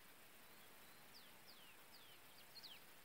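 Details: Pileated finch feeding its young: four or five high, thin notes that slide downward, spaced about half a second apart, the last one sharper, over soft continuous hiss.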